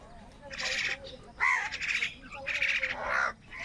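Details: On a rainy morning, crows squabble with wild birds over food, giving harsh, raspy bursts of cawing in uneven clusters, some notes hoarse and broad, with short pauses between them.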